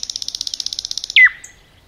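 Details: Part of a forest nightingale's song: a fast, even, high trill of about fifteen notes, ending in a loud downslurred note.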